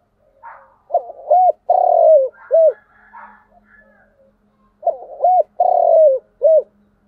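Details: Spotted dove giving its cooing call, the style called "thúc gù" in Vietnamese: two phrases a few seconds apart, each a short note, a long slightly falling coo and a short closing note, with soft lead-in notes before each phrase and a faint low hum between.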